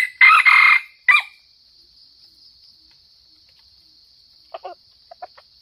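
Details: Sumatran red junglefowl used as a lure crows loudly: a harsh, buzzy, broken crow lasting about a second, followed by soft scattered clucks and a constant high insect drone.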